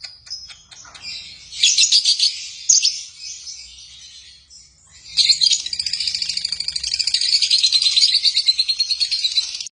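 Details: Chirping pet lovebirds: scattered clicks, then bursts of shrill squeaky chirps, a short quiet gap, and a long rapid run of piercing repeated chirps to the end.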